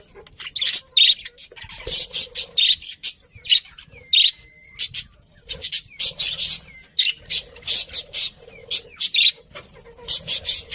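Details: Pet budgerigars chirping: dense bursts of bright, scratchy chirps and short squawky notes, with brief clear whistles, tumbling in rapid runs with short pauses across the whole stretch.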